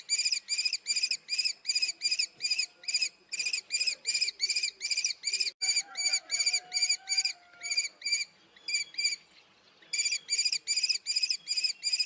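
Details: Common kestrel calling: sharp, ringing, high notes repeated rapidly, about three per second, in bursts of several notes with short breaks, strong and steady throughout, with faint low background sounds midway.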